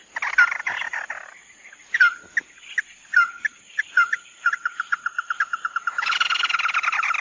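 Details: Tí nỉ singing by a chim mắt đỏ (red-eyed bird): scratchy phrases and sharp downslurred whistles, then a speeding series of about a dozen even notes running into loud buzzy chatter.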